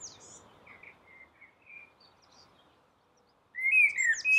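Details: Soft, distant-sounding whistles from a common blackbird singing on a roof in the dawn chorus, then a pause and a sudden loud, clear fluted phrase sliding upward with a thin squeaky tail.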